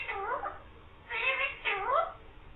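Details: Green parrot talking, saying "mian mithu" and meowing; three harmonic, voice-like phrases with bending, rising and falling contours, the last two louder, in a quiet room.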